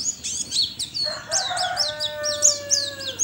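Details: Caged white-eye from Sambas, West Kalimantan, entered in an online singing contest, pours out rapid high chirps and twittering slurs, while lower drawn-out tones run underneath from about the first second onward.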